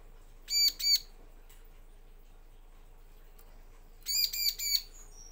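Bar-winged prinia giving short bursts of loud, ringing, nasal notes, first a pair, then a quick run of three or four after a pause, over faint background hiss.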